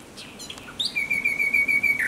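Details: Common Nightingale at night on 17 May 2023 gives a faint lead-in, then a sustained, slightly rough, level whistled note held for about a second.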